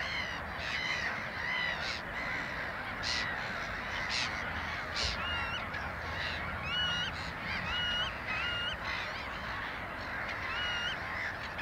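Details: Black-headed gulls (Chroicocephalus ridibundus) calling: harsh, grating cries repeat every second or so, with several birds overlapping and thin whistled notes later, over a steady background hiss.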